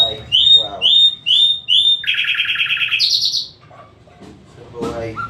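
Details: Nightingale singing: four identical rising whistled notes, then a fast buzzy rattle of repeated notes, a higher pulsed phrase and scattered short calls, over a faint low hum.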